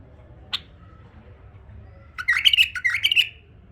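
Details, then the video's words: Tame male bulbul singing: a single sharp click, then after a pause a rich warbled phrase of about one second made of quick, fluty, bubbling notes, in a quiet room. "أحلى تغريد بلبل فحل أليف"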